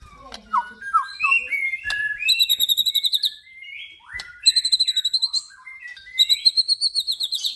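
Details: Male white-rumped shama from crossbred F-series stock sings varied whistled phrases with slurs and swoops, punctuated three times by fast, high, ringing trills of about a dozen notes.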